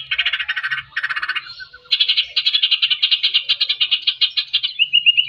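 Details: White-rumped shama song meant to provoke a reluctant bird to sing: two harsh buzzy bursts, a brief pause, then a long rapid rattle of repeated notes ending in a slurred whistle.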